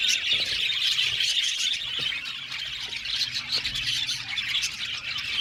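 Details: Aviary flock of budgies calling constantly, a busy wash of rapid, high chirps and scratchy squawks layered over one another, a few sharper clicks standing out now and then.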